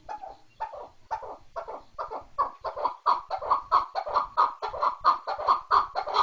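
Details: Chukar partridge call that begins with slow, soft clucks and swells into a louder, faster, rhythmic chuck-chuck series with a clear ringing tone in each note.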